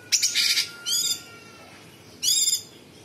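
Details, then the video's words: Sooty-headed bulbul in full voice, giving harsh, sharp 'tembakan' shot phrases: a rough buzzy burst, a second grating burst, a pause, then a third harsh rasping phrase, all high-pitched against faint background hiss. "Cucak cungkok gacor Variasi suara tembakan istimewa besetan kasar jeda rapat dan FULL ISIAN"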